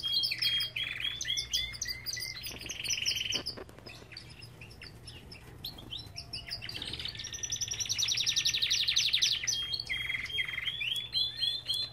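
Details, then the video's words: Belgian canaries singing together in an aviary: varied sweeping chirps, buzzy rolls and long fast trills, overlapping voices with short quieter gaps between bursts. "Lindos cantos de canários!"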